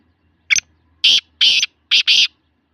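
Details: Black francolin calling in Sindh, Pakistan: a short opening note, then four loud harsh grating notes, the last two run close together, with quiet background.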